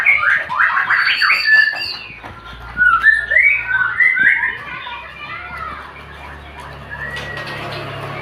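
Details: Male murai batu (white-rumped shama) in full-fill tutored song: harsh squawky bursts and rapid chattering notes, then looping whistled slurs, the singing fading softer after about four seconds over a steady low hum.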